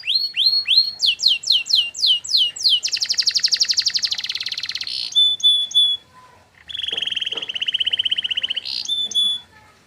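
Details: Long-duration canary master song that other canaries are expected to answer. A run of upswept notes leads into a long rattling buzzy roll, a brief silence, then another sustained rattle and a few high notes.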